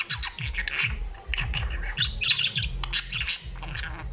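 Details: Chattering budgie giving quick bursts of high, scratchy twitters and clicks, nearly nonstop, over a low rumbling background.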